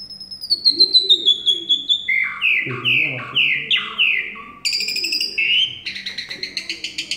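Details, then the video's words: Asian pied starling from Semarang singing loudly: a long descending whistle, then a series of clear slurred notes stepping downward, followed by buzzy harsh bursts and rapid repeated chips. "KING JALAK SUREN GACOR"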